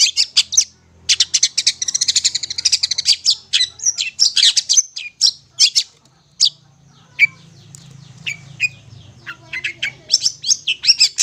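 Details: Long-tailed shrike song used as a master recording for hand-fed young birds: a long rapid buzzy rattle followed by varied scratchy chips and thin rising notes, with a faint low hum behind.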